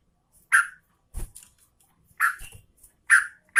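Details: Sooty-headed bulbul, said to be a female calling to a male, uttering short, rich chirps about once a second, separated by low knocking and rustling sounds.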